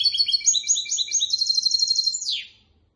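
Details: Song of a goldfinch crossed with a canary, meant for teaching young goldfinches and canaries: quick high twittering phrases repeated in a rolling sequence, closing with a sweeping downward slur.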